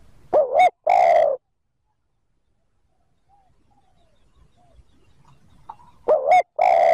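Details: Coo phrases of a spotted dove, 'thúc gù' style for luring wild birds: a quick two-note opening and a sustained mellow coo, repeated after about five seconds of near silence with faint background bird chirps.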